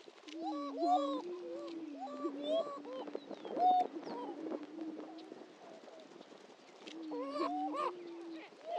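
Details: On a historic lek at Dunn Ranch Prairie, Hatfield, Missouri, greater prairie-chickens keep up a low droning moan while short arched hoots and clipped squeaks break in repeatedly over nine seconds.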